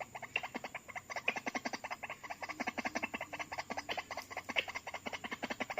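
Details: White-breasted waterhen calling during a trapping session where call playback lures birds in, two arriving within seconds; rapid, steady run of harsh, croaking pulses, roughly two to three each second, with a faint high hum behind.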